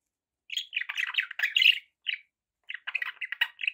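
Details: Pet budgerigars chirping: dense bursts of harsh, buzzy warbling notes around the upper-middle range, broken by a short pause, then more rapid chattering chirps.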